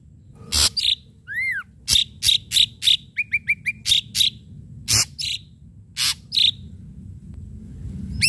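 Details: Ashy drongo in full, lively song, with sharp striking phrases: loud harsh rasping notes alternate with a descending whistled slur and short runs of quick high chips, all over a soft low background hum.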